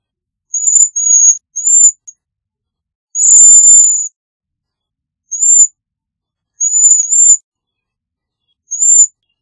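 Cedar Waxwing giving very high, thin, lisping notes in short bursts every second or two, with one longer buzzy trill midway; otherwise quiet.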